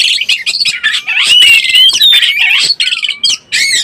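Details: Oriental magpie-robin used as a breeding-condition lure: dense, fast and scratchy high warbling with interwoven pure whistles, loud and almost unbroken, with brief gaps near the end.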